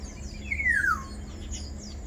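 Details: Black-naped oriole (Oriolus chinensis), one bird, gives a single drawn-out nasal slur that glides steadily downward for about half a second. Faint thin twitters from other small birds and a low rumble of background noise sit beneath it.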